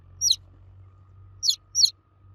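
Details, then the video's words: Baby chicks calling for their mother hen with shrill descending cheeps, one single note followed by a closer pair, with steady low background hum. "Baby Chicks Chirping Sound For Kids Chicks Cheeping Loudly For Mother Hen"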